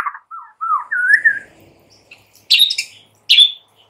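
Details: White-rumped shama singing in the morning to draw a shama into song: a smooth rising whistled phrase, a quiet gap, then two short sharp high chirps.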